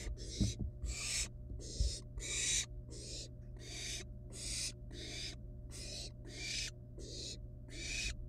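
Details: Wild barn owl nestlings at their nest with a still-living rat brought as prey, playing with it before killing and eating it; harsh, breathy hissing screeches in about a dozen bursts, irregularly spaced, over a steady low hum.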